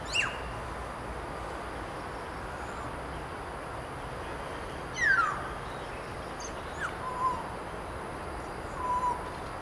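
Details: Common hill myna (Gracula religiosa) call: four scattered, loud, sharp whistles, mostly falling in pitch, over a steady background hiss.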